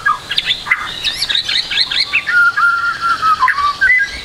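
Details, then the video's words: White-rumped shama, a young speckled bird whose song is being encouraged: fast varied whistles and slurred notes rising and falling, then a steady run of clear mid-pitched whistled notes, loud and continuous. "MASTERAN MURAI BATU TROTOL AGAR CEPAT BUNYI, MURAI BATU FULL ISIAN"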